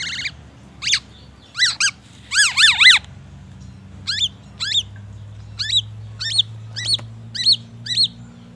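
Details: Captive black-naped oriole with a song full of white-rumped shama material: a series of sharp descending whistles and paired hooked notes, repeated roughly every half second to second, in short clusters.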